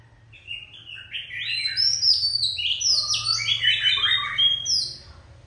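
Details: Oriental magpie-robin, an adult caught in the wild and called sharp-tongued, sings a swelling phrase of clear whistles, clustered slurred notes and a lower warble, fading at the close above a faint hum.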